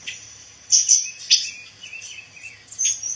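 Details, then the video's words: Pancawarna bird, a rare insect-eating songbird, with a male or female kept as song-training material for white-rumped shamas. Short, bright, high chirps and scratchy notes come in scattered bursts, with a faint low steady hum behind them. "SUARA BURUNG PANCAWARNA"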